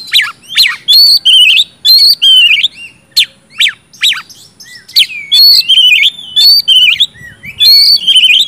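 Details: Energetic oriental magpie-robin song for triggering non-singing birds: sharp downswept whistles alternating with warbled high phrases, dense and continuous with brief pauses, over two notes per second.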